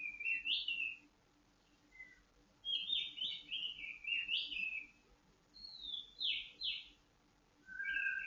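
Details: Kept white-rumped shama during dew airing, meant to calm it and bring it into breeding condition, delivers short bursts of bright whistles and quick slurred notes with brief pauses between phrases, ending on a lower flute-like note.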